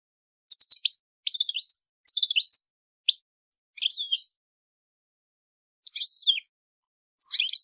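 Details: Female European goldfinch calls aimed at prompting males to sing and mate, scattered bursts of thin, scratchy twittering notes, some rapid and stuttered, separated by irregular pauses in otherwise quiet surroundings.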